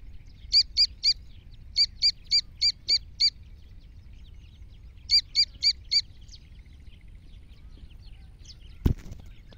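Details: Iranian black francolin producing bursts of three to five sharp, high chirps in quick succession, separated by several seconds of near-quiet, with a single loud knock near the end.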